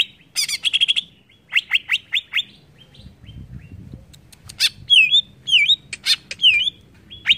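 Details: Greater green leafbird song used to provoke other birds: loud varied phrases of rapid buzzy notes, falling slurred whistles, then clear looping whistled notes repeated near the end, with quiet low background rumble.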